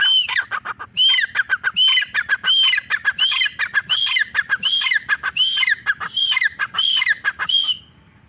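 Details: Calls of a female grey francolin, known locally as teetar: loud, grating, ringing notes delivered in a fast, steady chain for about eight seconds, each note sharp and repeated more than once per second, then stopping abruptly.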